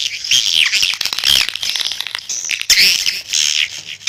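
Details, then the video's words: Swiftlets calling: high, buzzy chirps and squeaks in overlapping waves, louder in the opening second and again near the end, with brief softer stretches between. "SUARA PANGGIL BURUNG WALET"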